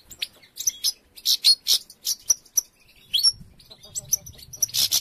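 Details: Goldfinches at the nesting season as females collect nest material; loud bright chirps and tinkling twitters in quick bursts, pausing around the middle, with faint low rumbling toward the end.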